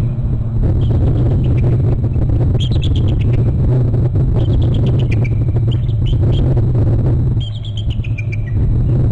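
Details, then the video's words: Bald eagles at a nest and territory on Hornby Island, a male and a female both calling as one lands on a short left branch: high, thin chittering notes falling in pitch, in three bursts, over a constant heavy low rumble. "hearing both a male and female call"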